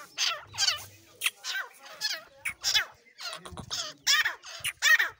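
Partridge calls in a quick series of harsh, strident notes, about ten bursts in five seconds, each a rough, descending chatter.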